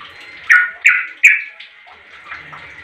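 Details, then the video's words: Sooty-headed bulbul giving a call meant to prompt other bulbuls to answer: a rapid run of three loud chirps, then softer scattered notes against a constant thin background tone. "Suara Trucuk ini SUPERPOWER Pintar Memangil Trucuk Lain Jadi Bunyi"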